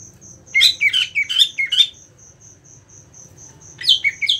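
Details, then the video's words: Greater green leafbird in a competition setting: two bursts of bright, sweeping whistled notes that rise and fall rapidly, separated by a pause, over a steady, fast, high insect-like pulsing throughout. "Beberapa macam cara penerapan settingan lomba untuk cucak ijo"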